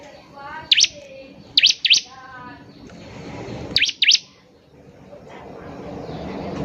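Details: Ciblek, or bar-winged prinia, in active song: paired high chirps separated by short pauses, with a softer, lower harmonic warbling from another bird between the first pairs.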